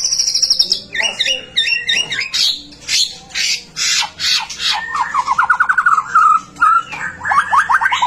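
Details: White-rumped shama in lively song meant to trigger singing in other shamas: a high whistle, harsh noisy bursts, then a rapid even trill and clipped upswept notes.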